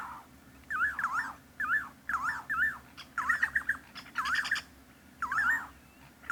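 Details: In Kruger National Park, South Africa (Pafuri to Tsendze area), a Levaillant's cuckoo, also called Striped Cuckoo, gives harsh, wavering squawky notes in short bursts about once a second, over a low steady hum.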